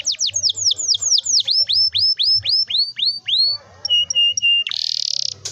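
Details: Long rolling canary song meant to coax young canaries learning to sing: a run of about fifteen descending swooped notes, a brief pair of steady whistles, then a dense buzzy roll at the end.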